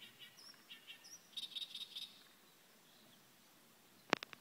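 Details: Reed warbler singing a broken series of high, scratchy chirps and short repeated notes over two seconds, followed by quiet and then a sharp loud knock near the end.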